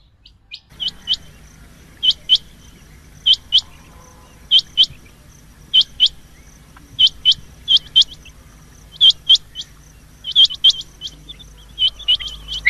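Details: Quail calling repeatedly in loud, sharp, high paired notes, bursts of two or three chirps every second or so over about thirteen seconds, against a steady low hum.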